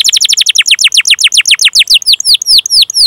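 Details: Canary chirping a rolling 'cuit cuit' song used as a lure for young canaries: a rapid series of downward-swept notes that gradually slows into spaced, curving whistles.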